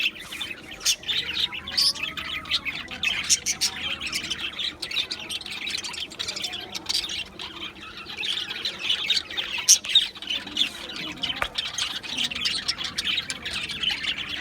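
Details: Aviary flock of Australian budgies keeps up continuous high chattering and chirps, with occasional harsher squawks rising above the steady colony noise.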